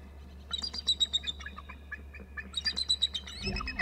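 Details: One adult eagle of a nesting pair perched near the nest on 9 March 2018 gives rapid, high, piping chatter notes, about four per second in two runs, ending with a soft low rustle.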